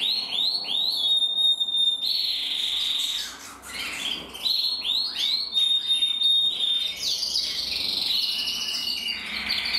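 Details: Two male canaries, one intense red-black and one red-black frosted, singing together: a rich, continuous stream of high trills, rolling tours and sustained pure whistled notes, with rapid repeated phrases and sweeping slurs.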